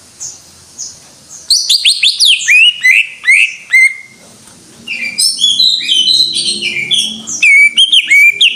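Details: Greater green leafbird in vigorous 'gacor' song: two soft opening notes, then a lively stream of whistled slurs, chirps and quick trilled runs that continues nearly without a break.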